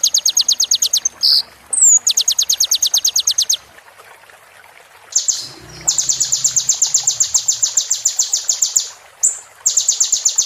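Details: Oriental white-eye training song in the full roll tembak fill-in style, meant for a moulting bird. Bursts of rapid, high, evenly pulsed trills are broken by short gaps and a brief sharp upslurred note, with faint trickling water behind.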